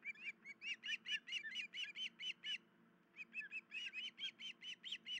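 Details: Osprey at a nest with chicks, 10 July 2019 around 04:51, giving alarm calls after something disturbed the pair off the nest; one adult has an injured leg. Rapid runs of short, shrill, whistled chirps in two bursts over a faint low rumble.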